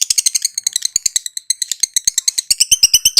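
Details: Lovebird kept as a therapy songbird, chattering steadily with quick, harsh, high-pitched notes repeated about three per second, scratchy and continuous throughout.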